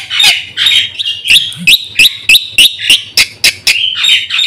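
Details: Black-winged myna song for luring and training caged birds: rough, scratchy opening notes followed by a string of sharp, upward-hooked whistles spaced about a third of a second apart.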